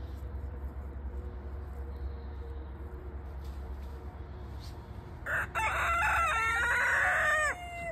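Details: Silkie rooster finding his voice on a morning, a hoarse, ragged crow bursting out after about five seconds of low hum and quiet, held with rough harmonics for roughly two seconds before cutting off.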